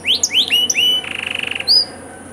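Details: Canary song fragment used for training, with elaborate cengkok: a few high rising whistled slurs, then a short buzzy trill lasting about half a second and one final thin whistle.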